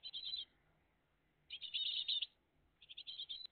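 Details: Morning at a great tit nest on 20 June 2023, with the family live: loud, dense bursts of high, rapid chirps, each lasting about half a second to a second, separated by silent gaps.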